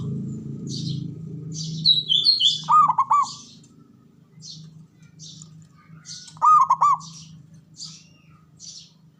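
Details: Two rippling cooing phrases from a local male zebra dove, each a quick string of pulsed notes, after a low rumbling hum at the start. High chirps from other birds are scattered around them.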